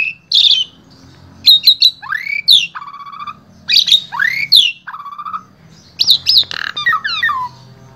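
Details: Full-repertoire song of an Asian pied starling from Wonosobo, Central Java, Indonesia, used to teach other starlings: rising whistles, harsh squawks and buzzy trilled notes in varied bursts with short gaps, one rising upslur repeated.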